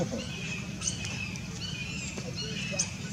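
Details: A Blue-fronted x Red-crowned Amazon parrot hybrid at Irvine Regional Park, Irvine, California, on January 9, 2018 (winter), gives soft, chattering, slightly nasal vocalizations with short sharp accents, over a low background rumble.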